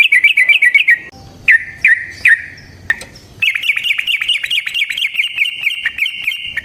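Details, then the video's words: Yellow-vented bulbul fighting song used as a lure: rapid rolling chatter, a few separate sharp notes, then a long continuous run of quick bubbly notes that keeps going to the end. "Burung TRUCUKAN GACOR Ropel Panjang Cocok untuk PANCINGAN Trucuk bahan dan MASTERAN Burung Trucukan"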